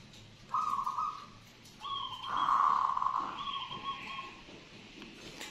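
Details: Local zebra doves in Borobudur, Magelang, in breeding condition, coo from outside a roadside house: soft, whistled mid-pitch coos, a short note then a longer rolling phrase, over a faint background murmur.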